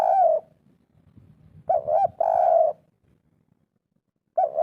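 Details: Spotted dove with a local-type 'kuk 3' coo, used to prompt a lazy bird to call: broken mid-pitched coo fragments, one drawn-out, separated by quiet gaps, over a faint low hum.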